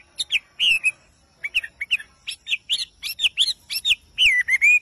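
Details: Morning song of a bird praised as a lively, melodious singer: a fast, varied stream of sharp chirps and whistled slurs, some notes rising and falling, ending in a longer swooping whistle, quiet background.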